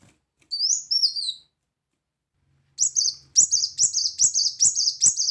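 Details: Brown-throated sunbird singing vigorously: a couple of thin, falling whistles, then a rapid series of loud, sharp, high chirps repeated about two and a half times a second. A faint low hum sits underneath.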